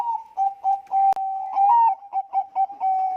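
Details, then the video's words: Zebra dove of the Bangkok type sings a lure song for other doves: continuous soft cooing with stuttering notes, a short rising trill and a longer steady coo, with a sharp click or two. "suara pancingan perkutut bangkok gacor"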